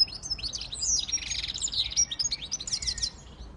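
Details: Short, dense outpouring of high twittering and buzzy warbled notes from a siskin x goldfinch hybrid, continuous throughout with a few sharp chips.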